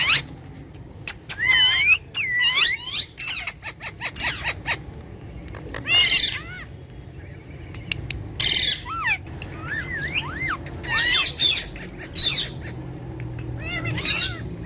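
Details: Domestic talking parrot pair calling at length: loud scratchy squawks alternating with curved whistled notes and chatter, delivered in irregular clusters with quieter gaps, over a constant low-pitched hum.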